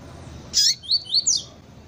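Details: Female Double-collared seedeater calling to stimulate a male: one loud, sharp, high chirp followed at once by three short, bright rising whistles spaced about a quarter second apart.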